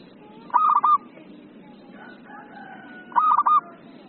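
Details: Local zebra dove in full, frequent song: two short stuttering phrases of clipped mid-pitched notes ending in a rolling coo, about two and a half seconds apart over a steady low background hum.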